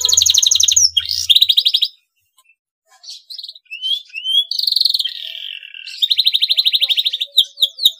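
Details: Male canary in breeding condition, singing to stimulate rival canaries to sing: fast pulsed trills, a brief silence, then whistled slurs and another rapid rolling trill, over a faint low hum.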